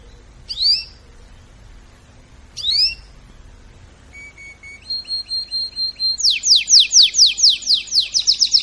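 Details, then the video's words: Singing canary in training, with two separate upswept phrases, a run of short level whistles, then a fast accelerating series of loud downslurred notes. "طائر الكناري يغرد بصوت ناري canary singing training"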